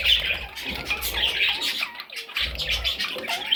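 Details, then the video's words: Several parrot chicks squawking in a busy, grating chorus of short high calls, with a few downward-sliding squeaks and low rumbling underneath. "Parrot Chicks"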